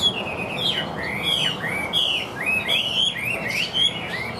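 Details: Caged Chinese hwamei singing strongly and evenly, a rich stream of loud looping whistles, each phrase swooping up and down, delivered almost without pause.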